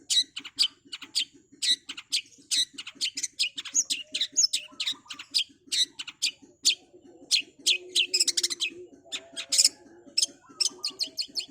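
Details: Long-tailed shrike (cendet) with long, fast training song: continuous sharp high strokes and buzzy chatters, a brief harsher squealing patch near the end, and a steady low rhythmic ticking underneath.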